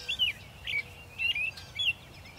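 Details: An American robin singing in early spring, March, in Ithaca, New York: clear, whistled, rising-and-falling phrases, four quick carols in under three seconds, over faint background hiss.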